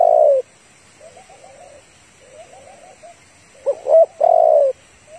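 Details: Female spotted dove calling to stir up a male, a trapping lure recording: one long coo, soft quiet rolling murmurs, then a stuttered pair of coos and a long drawn-out coo.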